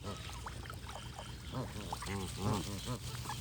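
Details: Soft scattered notes at first, then a series of deep arched goose honks grows louder toward the end, several in quick succession.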